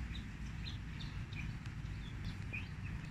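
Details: Fantail song for luring birds into traps, made of brief high squeaky whistles rising and dipping in an uneven sequence, heard through a strong low-pitched hum of machinery.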